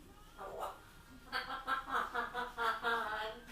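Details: A grey parrot, one of two left alone at home in their room, talks in a quick run of speech-like syllables with a chuckling, laugh-like edge, after a brief muffled phrase, indoors.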